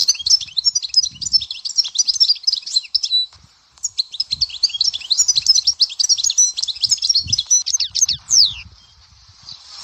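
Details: Goldfinch singing the Dahouara style, Souk Ahras, Algeria: two long, continuous outpourings of fast, high, liquid twittering and buzzy trills, separated by a short pause, ending on a downward slurred note.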